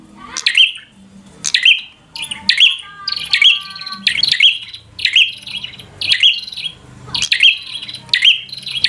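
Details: Rival-provoking 'gacor' song of a bar-winged prinia: high, ringing chirps with a slight rising flick, spaced about a second apart, over faint low background noise.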